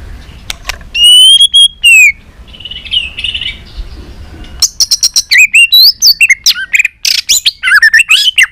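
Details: White-rumped shama singing in many voices, used to stimulate shamas to sing and flick their tails: clear whistled slurs and sharp chirps, a steady held note, a short lull, then a fast jumble of rising and falling notes.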